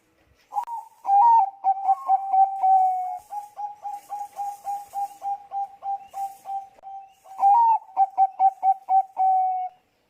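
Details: Lure song of a Bangkok-type zebra dove meant to set other doves singing: a steady string of short mellow cooing notes, briefly pausing, then resuming with a quick stuttering burst and a long closing coo.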